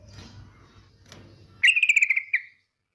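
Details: After a stretch of low background noise, a female yellow-vented bulbul gives one rapid, pulsing buzzy trill, part of a 'ngetir' lure call used to get bulbuls singing.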